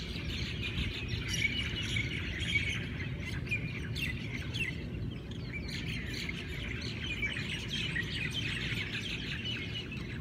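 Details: Morning chorus of many Hawaiian birds: dense, overlapping bright chirps and rapid trilled phrases continue throughout, with a constant deep rumbling background beneath the birdsong.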